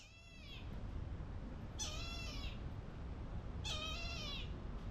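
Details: Brahminy kite (Haliastur indus) in a giant enclosure at a bird park in Bintaro, Indonesia, gives its haunting, mystical-sounding call: drawn-out mewing cries sliding downward, three about two seconds apart, over a low steady rumble.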